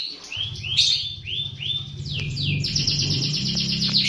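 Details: White-rumped shama song, used as a lure recording to prompt captive shamas to sing: a series of loud down-slurred whistles, then a fast run of repeated high notes, over a steady low hum.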